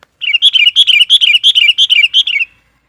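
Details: Sooty-headed bulbul lure (pikat) bird, an actively singing bird whose song is played to provoke and call in wild bulbuls: a fast run of about thirteen bright, bubbly whistled notes in two seconds, each dipping in pitch, then silence.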